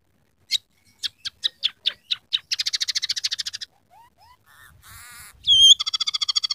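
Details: Scaly-breasted munia in full song with imitated canary, house sparrow and red siskin phrases: spaced sharp clicks speed into a rapid rattling trill, followed by soft rising whistles, a harsh buzz and a loud ringing whistled phrase.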